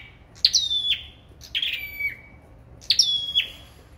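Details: Three quick phrases from a sâu đầu đỏ in a singing contest. Each is a sharp high note sliding into a clear sustained whistle, with the middle phrase pitched somewhat lower.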